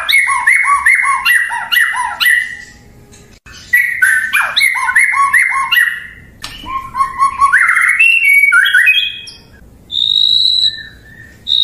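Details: White-rumped shama, the murai batu kept for its melodious song, repeats rapid whistled notes with lower echoes, then varied rising phrases, and later thin high whistles after a pause.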